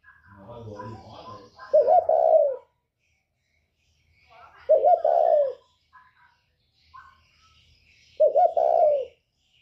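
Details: Spotted dove with a northern 'còi bổi' voice, kept for provoking other birds. Faint low murmuring comes first, then three deep, rolling coo phrases spaced about three seconds apart with quiet gaps between them.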